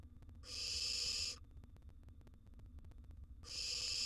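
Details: Barn owl nestling, wild, in a monitored nest box while swallowing a huge gerbil: two long rasping hisses about three seconds apart over quiet low background hum.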